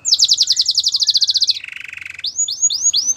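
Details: Belgian singing canary delivering a rapid run of bright repeated notes, a lower rattling buzzy roll, and then several loud, widely spaced upward-then-downward sweeping whistles.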